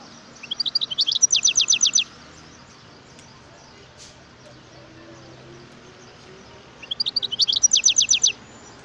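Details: A wild European goldfinch gives two phrases of quick, high-pitched twittering, each a rising run of about ten sharp notes, with several seconds of quiet background between them.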